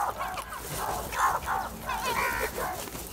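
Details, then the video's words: Black crows in a large group attacking cheese make continuous overlapping hoarse caws, one after another with no pauses. "Different Crow Sounds | A large Group of black Crows Attack On cheese | Happy Crow Sound"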